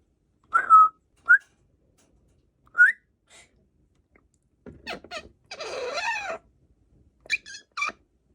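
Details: Pet female African grey parrot, a feather plucker kept indoors and watching from a window, gives two short rising whistles, then a burst of rough, noisy coughing sounds followed by brief harsh squawks; a person speaks faintly.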